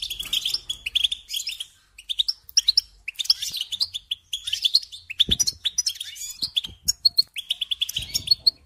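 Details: Rapid, metallic goldfinch twittering in choppy phrases of quick chirps and liquid trills, pausing briefly between runs, with a faint low knock midway.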